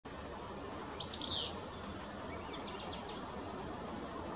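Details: Willow flycatcher (Empidonax traillii) song: one sneezy, buzzy high phrase, followed by a few faint thin notes, over a steady hiss of background noise.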